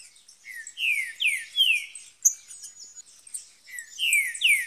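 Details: Caged green-winged saltator singing in the bush: loud, rich phrases of slurred rising whistles repeated in quick series, a short pause with a thin high note, then more phrases.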